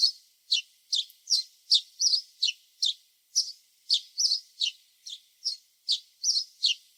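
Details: A long run of house sparrow chirping in a backyard: clipped, high, slightly rasping notes repeated over and over at roughly two and a half per second, some paired, on a quiet background.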